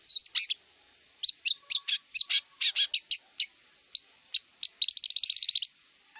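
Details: Scratchy, varied singing from a wild long-tailed shrike: a whistled opening, a run of sharp chips at irregular intervals, then a fast rattling trill near the end, with a faint constant hiss.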